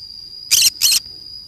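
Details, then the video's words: A lone green-cheeked conure at play in the forest gives two loud, grating shrieks in quick succession, each roughly a fifth of a second long, against a constant thin high-pitched drone. "I play alone in the forest : green cheek conure parrot sounds."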